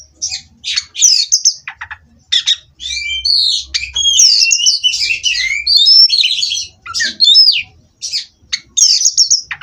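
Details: Oriental magpie-robin from a song-contest breeder, caged, producing a lively mix of clear whistles, scratchy warbles and rapid chip notes in uneven phrases over nearly ten seconds.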